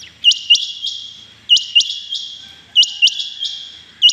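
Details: Clear morning calling of rain quail on 6 July 2021: three clean phrases of three sharp, high, ringing notes each, about one and a quarter seconds apart, with a fourth just beginning.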